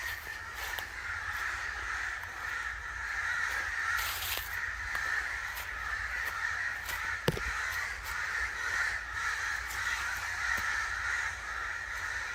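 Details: Angry crow calls: a crowd of raspy caws overlapping continuously, with a few sharp knocks or clicks scattered through.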